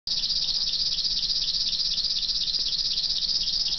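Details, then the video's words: A River Warbler singing at Vainikkala, Lappeenranta, South Karelia, Finland, on 11 June 2010. It gives a steady, high, insect-like buzzing song, a dry rapid pulsing that runs on without pause, with a faint low hum beneath. "River Warbler -- viitasirkkalintu"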